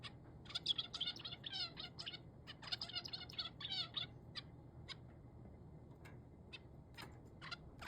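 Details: Male zebra finch, apparently frightened by crow voices. Dense bursts of nasal, buzzy, harmonic-rich notes, some sliding downward, come rapidly through the first four seconds, then thin out into scattered short ticks over a low background hum.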